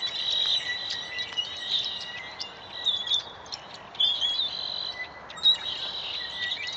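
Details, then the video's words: Late-afternoon bird chatter from a tree as sunset nears, around 4:45 pm MST: overlapping high chirps and thin whistles pour out without pause, some notes sliding, over faint steady background noise. "Birds Chirping While Sunset is Approaching"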